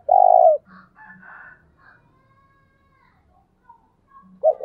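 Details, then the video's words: A spotted dove gives a single long burry coo in the thúc bổi style used to excite decoy doves. Faint higher bird chatter and low murmurs follow, and another coo begins at the end. "tiếng cu gáy thúc bổi căng lửa nhanh nổi"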